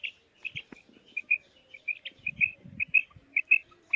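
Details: Steady series of paired whistled notes from a female quail calling, evenly pitched and repeated rapidly, with low muffled knocking in the background.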